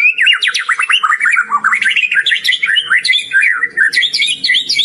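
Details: White-rumped shama, a champion singing-contest bird, in a frenzied nonstop performance: a fast tumbling warble of varied whistled notes, rising and falling without pause.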